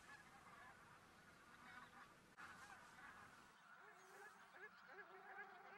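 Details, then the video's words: Geese flying from feeding fields to a lake for their daytime rest at a migration stopover in Khakassia, Russia; a dense chorus of overlapping honking calls, with clearer nasal, slightly wavering honks in the second half over steady broadband hiss. "Гуси летят на днёвку Geese fly from the fields to the lake"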